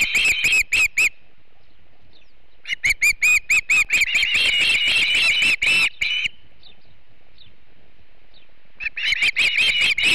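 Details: Osprey, a female at a Montana nest, calling as she chases an intruder that was not another Osprey, 3 August 2016: bursts of loud, high-pitched whistled chirps, repeated quickly, broken by quiet gaps.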